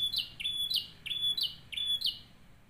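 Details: Canary model song for teaching other canaries: loud ringing whistles, each a flat tone ending in a bright downward flick, repeated about every two-thirds of a second.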